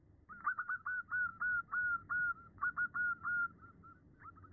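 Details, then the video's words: Female zebra dove calling to a male gives a rapid run of soft, clipped whistled coos, about a dozen notes in four seconds, with a faint low rumble behind. "Suara perkutut betina memanggil jantan"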